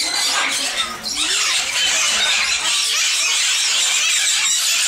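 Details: Sun conures (Aratinga solstitialis) at a zoo in Bošovice give loud, harsh, high screeches that overlap into a near-continuous grating din, with several sharp shrieks every second.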